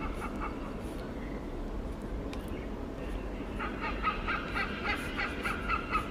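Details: Wild hornbill in Singapore calling while interacting: a few scattered notes, then from midway a run of rough, barking cackles in uneven bursts over a constant low hum.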